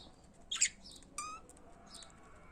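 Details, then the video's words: Budgerigars kept as pets giving a quick harsh chirp followed by a brief buzzy, nasal call, with soft high twitters in the background. "Periquitos de Estimação Cantando"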